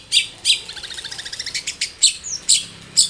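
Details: Long-tailed shrike in full, varied singing, offered as a lure to prompt other shrikes to sing: loud sharp high chips spaced about half a second apart alternating with quick rapid trilled notes, a brief downward whistle between.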